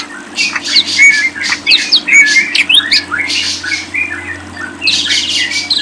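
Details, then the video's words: Lovebird used as a singing model for Indonesian bird keepers: harsh, squawky twittering in rapid bursts of shrill notes, a brief lull, then a fast buzzy chatter, over low steady hum. "jamin paling ampuh // paling di cari para kicau mania"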